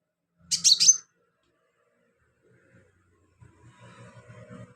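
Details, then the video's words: Singing sunbird kept as a filler-song tutor for other birds utters one short, high, scratchy trill of bright squeaky notes, followed by faint low rustling and knocking. "BURUNG KOLIBRI/CONIN GACOR buat isian"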